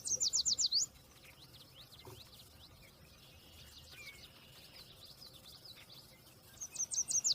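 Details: Yellow warbler (Setophaga petechia) opens with a fast burst of high, clipped, sweet notes. Softer twittering from other birds carries on in the background, then the warbler's sharp, rapid phrase returns at the close.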